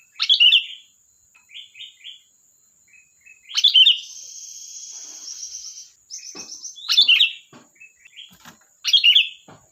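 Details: Sooty-headed bulbul in lively, chattering song: loud, bright chirpy bursts repeated about every three seconds, linked by short softer twittering notes, over a steady thin high-pitched background tone.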